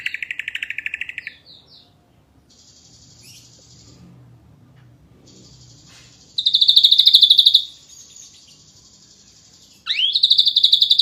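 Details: Ashy drongo, a champion singer, in vigorous 'nembak rapat' delivery: a fast pulsed trill, a few short high notes, a quiet gap, then a loud rapid rattle and a rising whistle into another dense trill.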